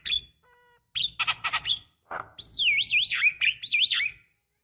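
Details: Female Javan myna calling the male, used as a lure to provoke singing: harsh buzzy bursts, then a long wavering whistled phrase that rises and falls several times; faint steady tones early on.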